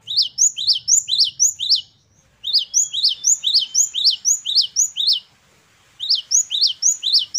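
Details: Great tit (gelatik batu) in lavish gacor variations: three steady runs of high, sharp upslurred chirps about two per second, separated by short silent gaps.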